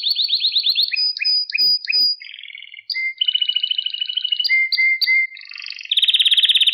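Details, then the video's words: Canary song for song training of young canaries: rapid trills, paired high and low whistled notes, long pulsed rolls with steady low whistles, ending in a loud fast buzzy trill. "Süper Kanarya Sesi | Orjinal Kanarya Sesi İle Kuşunuzun Ötüş Eğitimi"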